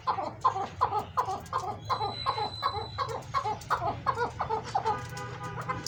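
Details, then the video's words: Caged big-sized chukar partridges, a breeding pair among them, in lively mood give loud rhythmic clucking chuck notes, roughly three per second, evenly spaced and carrying, with a faint steady tone and low hum behind. "second chakor masti and my breeding pair big size chakor"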